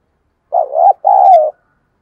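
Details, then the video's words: Decoy spotted dove cooing to draw in wild doves: a dipping, wavering opening note followed after a short gap by a longer, even, low hoot that tails off slightly downward. "Chim Cu Mồi/ cu gay kich boi hieu qua nhanh noi gù"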